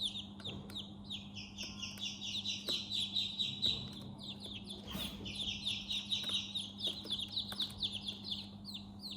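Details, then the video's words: Baby chicks chirping in their house: many high, downward-sliding peeps overlapping continuously, with a steady low hum in the background. ""Chicks Chirping" sound"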